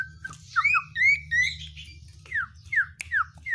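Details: Oriental white-eye song rich in 'isian' fill-ins: varied sweeping whistles, some rising and some falling steeply, delivered in irregular bursts with short pauses between.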